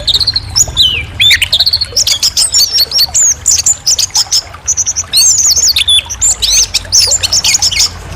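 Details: Orange-headed thrush delivering a bright, clear song of quick slurred whistles and twittering phrases, opening with a falling whistle and then running on continuously.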